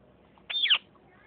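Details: Parrot during a fight: a single loud, harsh screech lasting about a third of a second, starting high and dropping at the end, with near silence around it.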